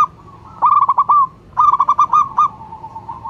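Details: Local zebra dove, called a strong singer, giving its calling song. A rapid rolling run of coos is followed by a slower, evenly spaced series of rounder coo notes, which fade into soft trailing coos.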